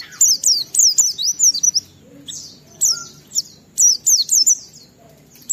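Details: Gacor Oriental white-eye, a lure to set other white-eyes singing, with clear high warbled phrases of quick down-slurred and rising notes in bursts, pausing between phrases.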